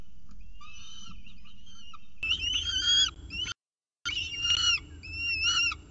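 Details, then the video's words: Peregrine falcon at the CSU Orange nest with a pigeon, 24 October 2018, early morning; quiet whining notes, then louder rising-and-falling wails that swell and break off briefly before resuming. "CSU Orange Peregrine Falcon Diamond With Pigeon Breakfast"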